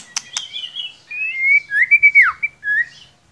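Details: White-rumped shama, a cage bird, giving clear fluting whistles: a long level note, then a series of sweet ringing notes ending in a downslurred whistle, after two sharp clicks.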